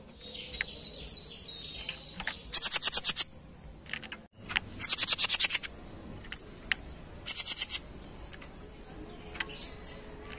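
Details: A small songbird on a tutor recording for a "jenggot mini" gives three bursts of rapid, very high, sizzling trilled notes, with softer chirps and faint high tones between the bursts.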